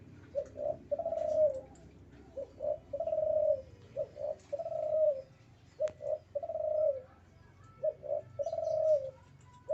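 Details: Male spotted dove in breeding condition giving low, mellow coos: two short notes then a long drawn, slightly falling coo, the phrase repeated about every two seconds, four times, against faint background hiss.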